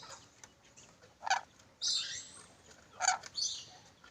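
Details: Black-capped lory uttering several harsh, buzzy squawks mixed with short sharp chips over a steady background hiss.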